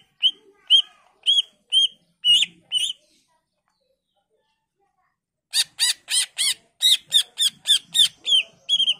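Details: Greater green leafbird singing to draw replies from other leafbirds: evenly spaced whistled notes, then after a silent gap a fast series of harsh, rasping buzzy notes repeated about twice a second.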